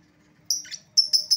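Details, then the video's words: Lure call of a lovebird, meant to attract an escaped bird back: a shrill high chirp, a rougher lower note, then three quick piercing chirps in close succession. "suara pikat lovebird yang lepas"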